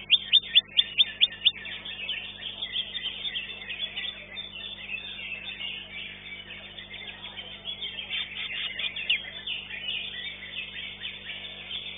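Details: Greater green leafbird singing at a songbird competition: a burst of sharp, high repeated whistles at the start, then a dense, fast, chattering warble of varied high notes continuing throughout.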